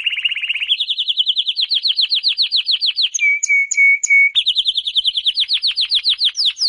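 A canary sings a fast, rolling song of rapid trilled phrases, a steady held whistle with ticking notes, then quick repeated rising notes, with no other sounds.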